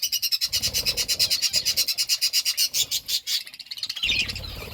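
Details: Parakeet chirping while eating fruit: rapid, regular high buzzy chirps repeated about 88 times a minute, shifting into looser twittering near the end, with faint low rustling underneath.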